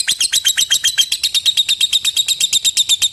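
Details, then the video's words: Lovebird trilling at length to call a rival and draw other lovebirds into chattering: quick, scratchy high chips repeated roughly three times a second in a steady, slightly uneven rhythm. "Suara Burung LOVEBIRD Memanggil LAWAN Bikin LB Lain ikut NGETIK SAMBUNG NGEKEK. LABET NGETIK PANJANG"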